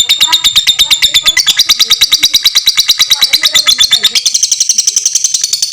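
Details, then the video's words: Fighter lovebird giving a long ngekek chatter, meant as a master recording for training all kinds of lovebirds: a very fast, high, buzzy stream of rattling notes that rises slightly in pitch after the first second and again near the end. "suara lovebird fighter ngekek panjang sangat bagus buat masteran semua jenis lovebird"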